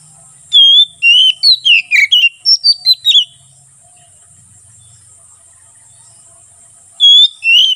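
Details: Ngeplong-style song of an Oriental magpie-robin (kacer), used as a tutor and forest lure: a run of around ten bright, slurred whistles falling and rising, a pause of several seconds, then two more whistles starting again.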